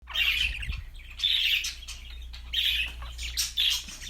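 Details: Happy budgerigar chirping and singing: four bursts of bright, scratchy warbled chatter, each about half a second, arriving roughly once a second, over a steady low hum.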